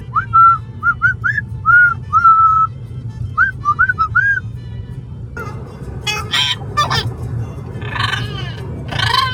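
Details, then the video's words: Amazon parrot vocalizing in a car on a road trip to a brewery: a run of short clear whistled notes, some rising and some level, then harsh broadband squawks, over a steady low rumble of road noise. "Parrot noisy road trip to the brewery!"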